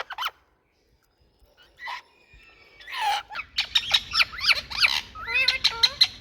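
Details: Loud noises from Indian talking rose-ringed parakeets: a few scattered squawks over a near-silent opening, then a rapid, dense run of harsh, screechy calls and rising whistled slurs over a low background hum.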